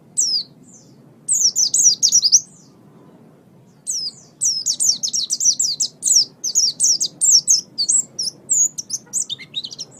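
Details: Master song of an Oriental white-eye for tutoring birds, high twittering phrases of rapid thin descending whistles, a burst near the start, a pause, then a long chattering run to the end, with low background hum.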